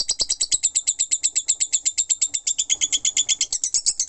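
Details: Lovebird in full ngekek, a long non-stop chatter, with bright, sharply pulsed high notes repeating nearly three times a second in an even, driving rhythm.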